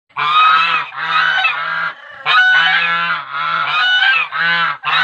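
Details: Swans calling loudly: rich, nasal, trumpeting honks in long, overlapping bursts with several birds answering one another and only brief pauses between phrases.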